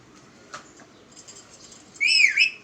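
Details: Pet talking parrot, said to speak the phrase "Miya mitho": after near silence with a faint click, one loud harmonic squawk-like utterance dips and rises in pitch for about half a second near the end.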